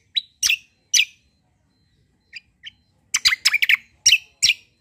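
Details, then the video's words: White-eye, locally kecial, singing a combo cucak song: loud, harsh, sharp chirps in clusters, a short pause with two soft notes, then a rapid volley of piercing squeaky calls in a quiet setting. "KECIAL KOMBO CUCAK KOMBO FIGHTER GACOOR"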